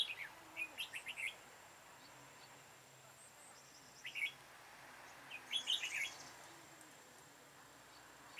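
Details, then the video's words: Red-whiskered bulbul serving as a decoy in bird trapping, recorded 13 October 2018: three brief flurries of rapid, slurred whistles, separated by quiet pauses of several seconds. "Bẫy chào mào Hàng Xòe đuôi hết bản"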